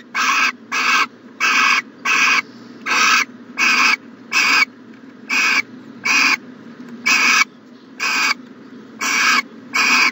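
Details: Owl at a nest box on the morning of 14 January 2020, giving harsh, broadband hissing bursts about half a second long, thirteen in ten seconds at a slightly uneven pace, with quiet low hum between them.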